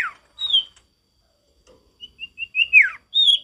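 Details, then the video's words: A male sirtu delivers a whistled phrase: short evenly spaced high notes quickening into a downward slur, capped by a bright sustained whistle. "Sirtu gacor gak ada lawan suara ngalas alami"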